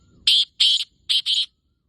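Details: On 14 May 2024 at 5:15 a male black francolin gives its breeding call, two pairs of loud, buzzy, rasping syllables in quick succession.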